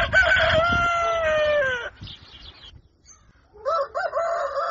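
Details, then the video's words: At dawn a rooster delivers a long, loud crow that slowly falls in pitch, then after a pause gives short repeated clucking notes. "Canto Do Galo | Galo Cantando Ao Amanhecer | Som Do Galo | Galo Cantando Para Acordar"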